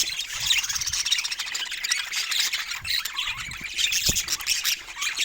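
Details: Pet budgerigars and parrots produce a constant high, scratchy chatter of squeaks and chirps, punctuated by a brief low knock late in the recording.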